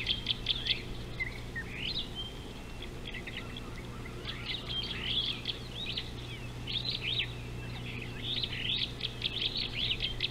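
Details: A Superb starling at an African river, 19 July 2018, gives a rambling stream of squeaky, chattering notes and rising whistles, pitched fairly high and uneven in pace, over a steady low hum.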